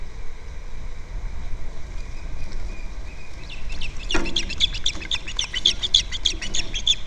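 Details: Osprey at its nest on Captiva, filmed by a nest camera on February 2nd. After a quiet start, a quick run of short, high chirps repeats in the second half.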